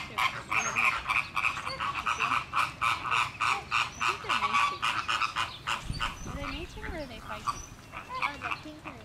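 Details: Caribbean and Greater Flamingos in a loud squabbling flock, a dense stream of rapid nasal honks and gabbling, many birds calling at once, with a brief low thump midway.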